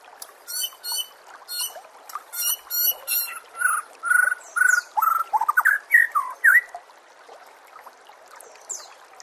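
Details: Training recording of white-rumped shama song: chattering high notes lead into a row of clear mid-pitched whistles, then a twisting phrase of slurred notes that fades out.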